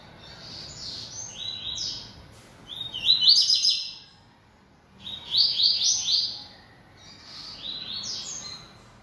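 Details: Coleiro baiano, or Bahia seedeater, singing persistently: three or four separate phrases of high, rapid, buzzy slurred notes, each about a second long and spaced by short pauses.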